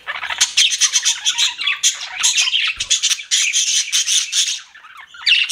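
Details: Lively chatter from pet budgies: bright, rasping warbles and chirps packed tightly together, with a short lull near the end before more squeaks.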